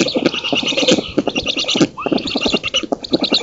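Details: At a black stork nest in an oak in Poland, 19 June 2017, during the female's feeding visit and the driving off of an intruder: crowded wheezy, rasping pulses pour out almost without a break, with a short rising note near two seconds.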